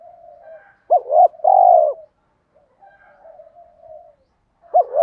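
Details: Spotted doves, male and female, calling to provoke cooing in cage-bird training: soft, low hooted coos, a pair of bent notes followed by a longer purring coo, then quieter murmurs and another bent double note.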